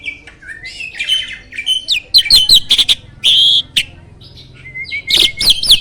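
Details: Loud, varied song from a prize-winning starling kept as a master for contest birds: squeaky slurred whistles, harsh buzzy squawks and a long grating note, ending in a flat whistle and chatter.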